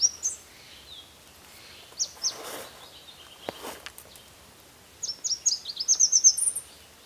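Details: Red warbler (Cardellina rubra). High, thin chirps come scattered at first, then a quick burst of rapid, sharp high notes near the end. Faint broadband rustling sounds in between.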